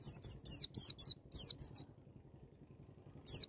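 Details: Wild-style white-eye song played to prompt young birds to sing: a burst of very high, sliding whistles falling in pitch, several in quick succession, then a pause and one more note.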